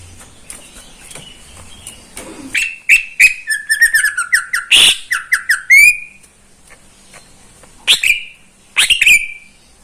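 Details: Caged greater green leafbird in morning song, delivering a varied burst of whistles, quick trills and sharp downslurred notes, followed by two isolated loud whistled phrases.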